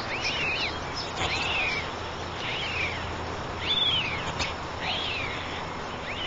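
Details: Three white stork chicks in their nest give thin, arched mewing calls, rising then falling, about once a second over steady background hiss.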